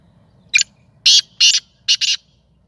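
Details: Sindhi black francolin, a tame captive bird, giving its first call. A single sharp note is followed by two longer rasping notes and a fast closing pair, all harsh and high, against near silence.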